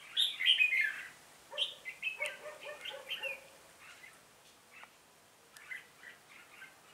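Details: During a 26 November 2017 trapping session, a lead decoy red-whiskered bulbul calls its flock. Loud bright chirps open the passage, followed by a run of choppy twitters that fade into softer, sparse calls.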